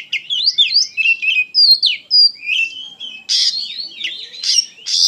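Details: Oriental magpie-robin in excited song, mixing fluid whistled slurs with squawking harsh bursts toward the end, notes delivered rapidly and high in pitch.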